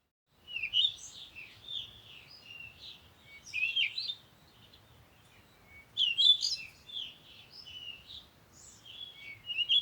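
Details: Bird song in short bursts of bright, twittering warbled notes, high-pitched, with phrases separated by pauses of a second or two; a low, faint background hum.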